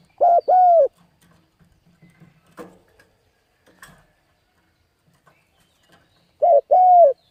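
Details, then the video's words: Spotted dove calling to excite and train decoy birds. One two-part coo opens the clip, a short note followed by a longer drawn-out one. After a long quiet stretch with scattered clicks and taps, a matching pair closes it. "Cu Gáy Thúc Gù Gáy Cực Phê Kích Mồi Tập Bổi Quá Hay"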